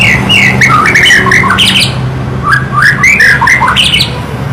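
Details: White-rumped shama singing: a varied run of loud whistled and slurred phrases jumping between low and high notes, with short pauses between bursts, over a steady low hum.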